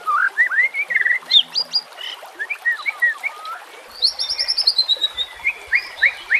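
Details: Murai batu (white-rumped shama) singing, recorded with nature sounds and flowing water for training silent shamas: slurred rising whistles, then a fast rattling series of high notes, ending in clear drawn-out whistles.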